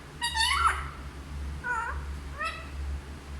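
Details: Parrot that talks in Hindi voices three harmonic, speech-like utterances: a longer wavering one first, then two shorter rising syllables, over a low background hum.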